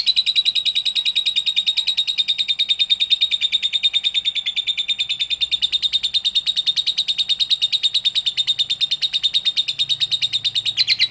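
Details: Lovebird delivering a sustained ngekek konslet chatter, a fast, steady stream of shrill clicking pulses that runs without pause for over ten seconds, with a faint low hum in the background.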